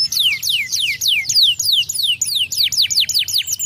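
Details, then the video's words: Canary pouring out a continuous run of loud, high descending whistled slurs, several per second, with small variations in pitch through the phrase. "Welcher Kanarienvogel kann den Klang dieses Kanarienvogels ertragen?"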